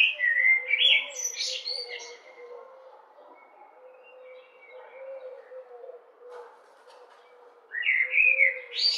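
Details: A common blackbird, perched calling for at least five minutes without an answer, gives two bursts of clear, warbling notes, one at the start and one near the end, over a steady low hum.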